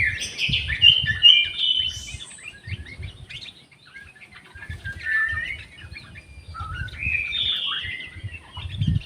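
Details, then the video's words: Aviary orange-headed thrush, with jali birds also present, delivering varied song phrases. Bursts of twittering, slurred whistles are separated by short pauses, alongside soft low thumps and rustling. "SUARA ANIS MERAH"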